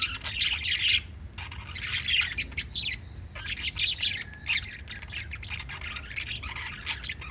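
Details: Pet lovebirds give bursts of shrill, scratchy chirping separated by brief pauses. The sound is busiest in the first second and again around two and four seconds, then turns to quieter ongoing twitter.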